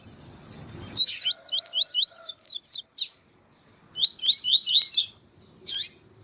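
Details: A Double-collared seedeater's tuí tuí song, with a female calling, for warming up caged males: a fast series of rising whistled notes, a short pause, then a second similar phrase and a final sharp chip.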